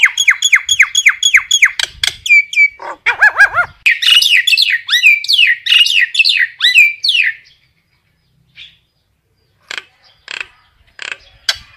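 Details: Common myna calling its flock with fast, varied chatter: downward-slurred whistled notes repeated quickly, throaty gurgles, then a dense run of bubbling, squeaky notes before scattered faint clicks.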